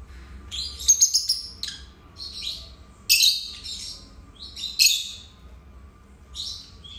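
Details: Shrill chattering from two pet lovebirds: sharp squeaky chirps in short clusters, some notes rising then dropping, separated by brief silences, loud and high throughout.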